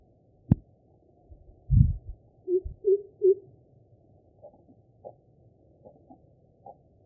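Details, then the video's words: Greater coucal, Bengali name kubo, calling: three low, hollow booming 'coo' hoots in quick succession, preceded by loud dull thumps and a sharp knock, with faint scattered clicks afterwards. "Greater Coucal Calling"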